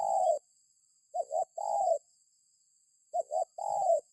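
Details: Spotted dove calling, recorded for use as a lure that sets other birds calling. A long coo, then a rapid double wavering note with a sustained coo after it, given in two phrases. A faint steady high tone lies behind them.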